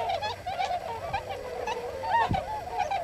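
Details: Tundra Swans wintering on farmland at Hakuta, Yasugi, Shimane, Japan; busy overlapping chorus of shrill, nasal honks from a flock, with a couple of low thumps in the background.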